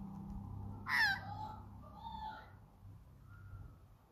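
An Australian magpie gives one loud, harsh squawk, then a few softer fluting, warbled notes, over a low steady hum.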